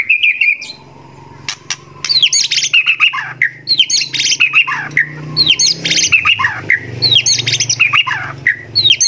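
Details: White-rumped shama singing in a tutor recording made to prompt other shamas to sing, from a competition-oriented bird. Loud, rich phrases of bright whistles, sharp rising and falling sweeps and chattering notes, repeated in quick bursts with brief pauses and a low hum behind.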